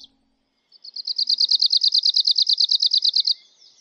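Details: Arctic warbler singing one fast, even, dry trill of about twenty identical high notes in under three seconds, steady in pitch and loudness, preceded by a short high note and quiet pause.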